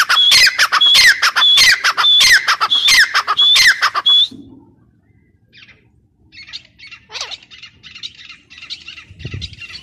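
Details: Dakhni teetar, a grey francolin, calling in a fast, regular series: a piercing, upslurred whistle mixed with harsh grating notes, repeated about six times in four seconds. Quieter, distant bird notes follow.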